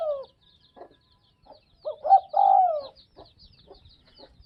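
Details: Low cooing of a spotted dove from the Northwest (Tây Bắc). The tail of one phrase fades out, then a full phrase follows: quick broken notes swelling into a drawn-out coo that slides downward. Soft high twittering from other birds runs underneath.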